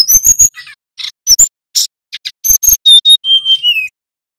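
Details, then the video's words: Male little pied flycatcher singing loudly: rapid high chirps and sharp whistled notes in quick bursts, then clear descending whistles near the end, with short gaps between phrases. "Sikatan Gunung Jantan Nyiul GACOR"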